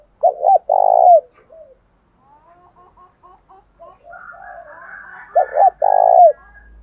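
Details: Lure calls of spotted doves, male and female, in the thổ đồng style, meant to provoke fighting. Two strong coo phrases, each a quick paired note then a rolling coo ending in a dropping note, separated by soft quiet chirps and murmurs.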